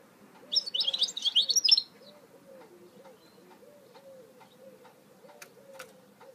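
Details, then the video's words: High, scratchy twittering from a goldfinch mule lasts about a second and a half. Quiet then returns, with faint clicks and soft, regularly repeated low cooing in the background. "Chant mulet chardonneret تغريد هجين الحسون"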